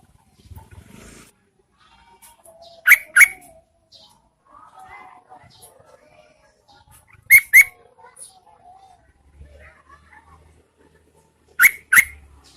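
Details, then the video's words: Rainy-season lure of a female Yellow-vented Bulbul tempting males to answer: loud paired chirps, harsh and buzzy, repeated about every four to five seconds, three pairs in all, over soft distant twitters. "PANCINGAN TRUCUKAN GACOR SAAT MUSIM HUJAN"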